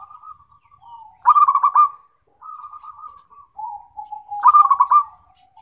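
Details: Local perkutut (zebra dove) singing, meant for therapy and to train other birds: soft wavering coos alternate with loud rapid rolled trills, two bursts about three seconds apart, with low coo notes between.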